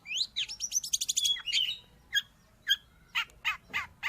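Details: Song of the long-tailed shrike, called cendet or pentet, for tutoring pet birds or decoying wild ones: quick rising whistles merge into a trill, then isolated harsh, downslurred notes spaced about half a second apart.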